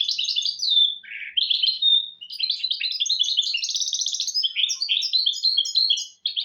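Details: Song of a goldfinch and canary hybrid, used as a tutor for young goldfinches and canaries: continuous fast twittering and jingling notes, a brief lower buzzy section near the start, then long unbroken runs of bright trills.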